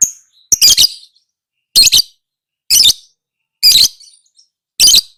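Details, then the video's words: Lovebird voice from masteran training audio for lovebirds: a brief thin whistle, then a sequence of harsh chattering shrieks, several doubled or tripled, coming about once a second with short silent gaps. "Suara Burung LoveBird~for~ Masteran(biar gacor)"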